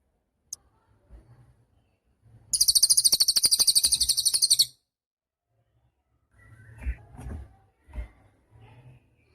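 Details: Cililin songbird singing a gacor song for use as a master tutor for caged songbirds: a rapid, very high trilled phrase of about two seconds, many quick repeated notes, followed by soft low thumps and faint chirps.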